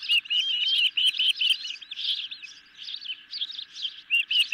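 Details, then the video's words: Hungry Ospreys on a nest at night with a medium fish delivered: burst of squeaky, high whistled chirps, irregular and overlapping, with brief quieter gaps between clusters. "Medium size fish for hungry Ospreys"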